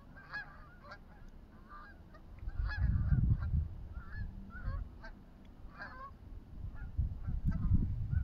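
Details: Canada geese at a pond honk repeatedly, several birds overlapping in short nasal calls, against a steady low rumble of wind or water.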